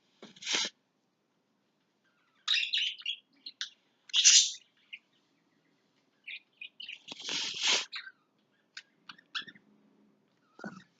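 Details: Pet lovebirds clearing everything out of their house make scattered shrill chirps and harsh rasping squawks. The calls are broken up by quiet pauses, with dry clicks and faint rustling in between.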